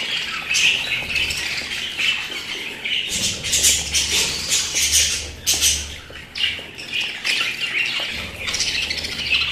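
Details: Pet budgerigars squawking and chattering in loud bursts separated by brief lulls, bright harsh notes mixed with softer warbling.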